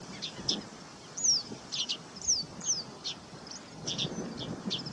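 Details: White-browed meadowlark (Leistes superciliaris) song: thin, high chips and short down-slurred squeaky notes in scattered bursts, over a low rumble of background noise.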